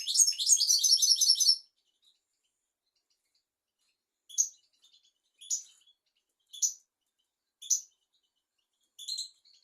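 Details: European goldfinch tutor song for young goldfinches and canaries: an opening rush of bright twittering for about one and a half seconds, then five single high call notes, spaced roughly a second apart, in quiet surroundings.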